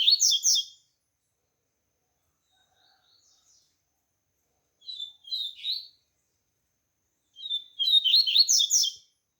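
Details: Rusty-collared seedeater (coleiro), a captive bird, in bursts of rapid high twittering and warbled notes, three phrases separated by pauses of a few seconds, with brief Portuguese speech beforehand.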